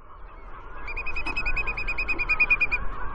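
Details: Sanderlings scrambling in a feeding scrum on a muddy beach at the Miño estuary in the afternoon. They give a quick run of sharp, high twick notes, about ten a second for two seconds, over a low surf rush.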